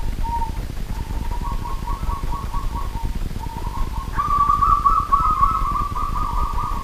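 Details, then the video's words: Local wild zebra dove calling energetically at night, a long run of rapid, beaded trilled coos in several phrases that rise slightly in pitch and grow louder toward the end, over a quiet low hum. "BURUNG PERKUTUT LOKAL ALAM GACOR DI MALAM HARI"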